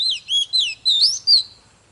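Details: Oriental magpie-robin song for stirring other birds into fierce singing: a short run of rich, downslurred whistles, then two brighter rising and falling whistled notes.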